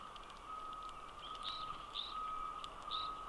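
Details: Noisy flock of evening grosbeaks at an Ontario feeder on December 13, 2021, in winter, jostling for position while foraging, gives short, clear, slightly rising high notes, three or four in quick succession, over a steady droning mechanical tone.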